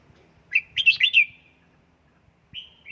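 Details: Red-whiskered bulbul in home song training, Gia Lai: a crisp rolling phrase of four or five rich warbled notes, then a brief pause and a fresh whistled phrase starting, in near silence.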